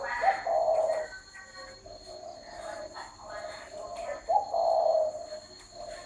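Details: Spotted dove cooing: low, hollow coo phrases repeated with short pauses, each with a slight upward lift at its start, over a steady background hiss and some faint voices.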